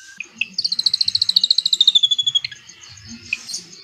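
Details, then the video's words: Drongo singing long rapid 'cililin' phrases, recorded as training material for white-rumped shamas: about twenty-five quick, bright whistled notes descending steadily in pitch, followed by a few scattered chirps. "SRIGUNTING ISIAN CILILIN NEMBAK PANJANG UNTUK MASTERAN MURAI BATU"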